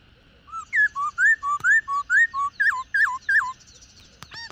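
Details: Female black-throated laughingthrush, an old wild-caught bird, calling so that males sing: a brisk string of about ten loud whistled notes, level, rising and zigzag shapes, ending with a soft click and a brief flutter.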